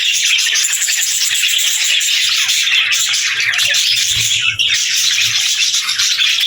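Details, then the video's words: Many budgies twitter and warble at high pitch in an unbroken chorus, with scattered low bumps and a brief dip in sound around four and a half seconds. "Budgies Chirping Sounds"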